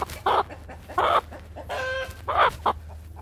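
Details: Harsh, loud squawks from an attacking Brahma rooster, four broad noisy bursts about a second apart with a tonal, harmonic cry in the middle, set against a low mechanical hum.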